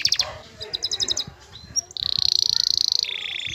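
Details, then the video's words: Excited male canary singing to a female, prompting her mating posture: quick bursts of short high chips, then a dense buzzy trill held over a second, dropping to a lower rolling trill, with faint low background rumble. "ذكر كناري هائج يجعل أنثي الكناري تأخذ وضعية التلقيح"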